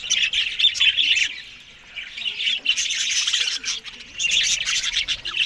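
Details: Budgerigars feeding on greens in the morning chatter loudly, then fall nearly quiet for about a second before busy scratchy twittering and squawks resume to the end.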